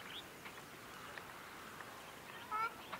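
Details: Wild ruddy shelduck on a river marsh at Aoulouz Gorge, Morocco, giving a single short nasal honk near the end, with soft rolling tone, over a steady hum of river-bank background and faint distant bird notes.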